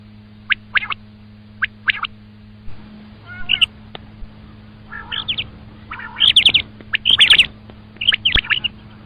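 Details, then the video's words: Common quail giving short, sharp clipped notes in quick groups of two or three, growing denser and harsher toward the end, over a steady low electrical hum. "Обыкновенный перепелиный зов"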